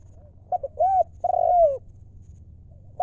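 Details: Spotted dove used as a decoy to lure wild doves, giving a loud mellow coo phrase: two short clipped notes, a rounded hoot, then a long slightly falling drawn-out coo, with a soft low hum behind.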